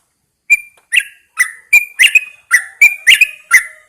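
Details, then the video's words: Yellow-vented bulbul kept in a cage and hung outside early in the morning, singing a quick string of rich, bubbling whistled notes, roughly nine phrases delivered rapidly. "Pengembunan Burung Trucukan"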